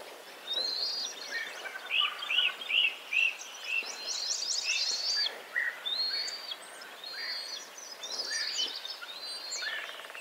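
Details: Bald eagle eaglet calling for something near Hannibal, Missouri, by the Mississippi River: quick runs of high, thin, arched whistled notes in uneven bursts, with other small birds chirping in the background.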